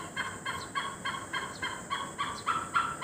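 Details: Great hornbill in Assam calling in an even, rhythmic series of about four harsh, resonant notes per second. The notes grow slightly stronger toward the end.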